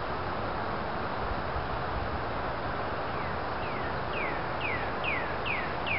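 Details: In Bechtel Park, Waterloo, a pileated woodpecker gives about six falling notes that build in loudness over the last three seconds, set against constant wind and distant traffic-like roar.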